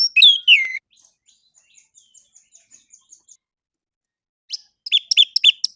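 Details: Morning song of an orange-headed thrush, played as a lure for caged birds: a quick sweeping, slurred phrase, a run of faint high ticks repeated rapidly, then a burst of sharp chirping notes.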